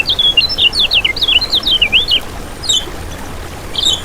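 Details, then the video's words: High, lively lemon-bellied white-eye phrase meant to draw in other birds: a chain of quick zigzagging whistled notes stepping downward, a pause, then isolated sharp chirps. "Masteran Kecial Kuning Untuk Pancingan n Pikat"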